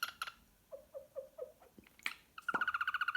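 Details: Pet cockatiel song indoors: a few clicks, then a series of short, even, falling whistled notes, and finally a fast, loud, harmonic pulsed trill.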